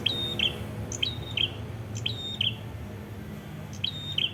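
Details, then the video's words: Prenjak kepala merah in Kedungprahu, Ngawi regency, East Java, Indonesia, singing energetically: clipped, piercing double notes with a brief whistled slur between, repeated in groups roughly every second against faint background hum. "mp3 Suara Prenjak Kepala Merah Gacor"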